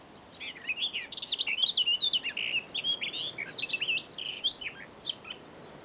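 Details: A barred warbler (Sylvia nisoria) in southern Moldova sings a fast, scratchy warble of chattering high notes and short slurred phrases, running almost without pause over faint background hiss.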